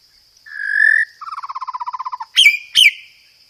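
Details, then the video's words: Clear, powerful white-rumped shama lure song, 'roll tembak' style with 'gereja tarung' fill: a swelling whistle, a quick rolled run of about fifteen even notes, then two loud harsh notes. "PANCINGAN SUARA BURUNG MURAI BATU isian gereja tarung, full materi roll tembak"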